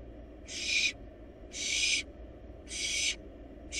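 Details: Wild barn owl nestlings eating a large rabbit in a nest box: three long, harsh hissing bursts of about half a second, with a fourth beginning, repeated about once a second.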